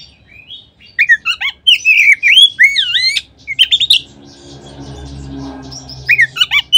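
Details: Oriental magpie-robin sings a lively medley of loud whistles, slurred rising and falling notes and harsh squawks in quick bursts, used as a lure to trigger other magpie-robins to sing, with a low hum in the background.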